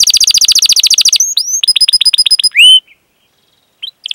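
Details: Canary song meant to prompt young or silent canaries to sing: a rapid high trill, then hooked whistled notes and a loud rising whistle, followed by quiet with two short faint chirps.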